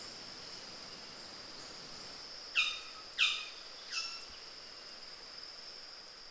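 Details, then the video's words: Vogelkop bowerbird (Amblyornis inornata) at its bower in the Arfak Mountains, Indonesia, gives three harsh, scratchy calls about a second apart over a steady high insect hiss. "Vogelkop Bowerbird (Amblyornis inornata), Hüttengärtner, Burung Namdur"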